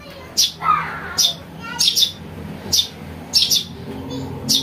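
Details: House sparrow chick calling, used to attract birds for trapping: bright high chirps in ones and twos at irregular spacing, plus a brief lower squeal from another bird.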